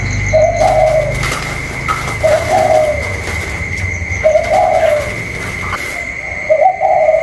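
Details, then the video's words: Caged spotted dove cooing in a contest with a wild bird, recorded 27 October 2022: soft low rolling coos repeated about every two seconds, over a steady high electronic whine and low rumbling background noise. "chim cu còi trong đấu với thổ ngoài"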